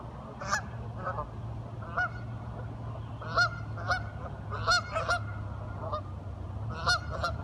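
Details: Curious ducks giving short, scattered nasal quacks spaced a second or so apart over a steady low hum.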